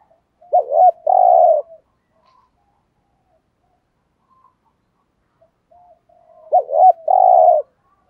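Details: A spotted dove kept as a lure bird performs 'thúc gù' coos. Two phrases about six seconds apart, each a rapid double waver followed by a drawn-out, even coo, with quiet pauses between.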